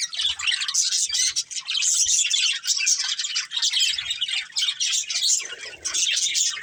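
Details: Budgerigars, a breeding pair kept as pets, chirping continuously: dense, busy high warbling and twittering with scratchy squawks, nearly unbroken over several seconds, with brief dips in loudness.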